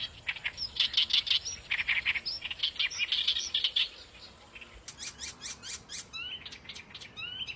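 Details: Harsh, croaky chattering from a wild oriental reed warbler in its natural habitat, loud grating phrases fading after a few seconds, followed by sharper clicking notes and brief rising whistled slurs.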